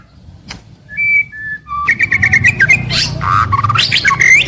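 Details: White-rumped shama daily song: a few clean whistled notes at different pitches, then a dense burst of rapid rising and falling whistles and chatter over a low background hum.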